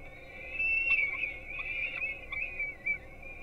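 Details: At a webcam-watched nest in Gdynia, Poland, peregrine falcon young getting breakfast before dawn keep up a steady, high-pitched whining. Soft clicks and brief louder squeals break into the continuous wail.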